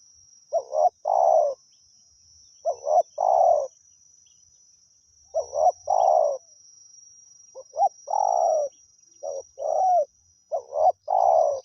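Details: Wild spotted dove calling continuously at a decoy: six phrases, each of two short notes and a long, buzzy, falling coo, spaced about two seconds apart. A steady high electronic whine and faint low rumbles sit underneath.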